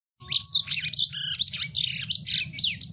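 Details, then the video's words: Lively lemon-breasted canary song for teaching captive birds, starting after a short silence: a harsh, hurried jumble of high buzzy notes, sliding whistles and fast trills. "lemon breested canary Gacor cocok untuk masteran"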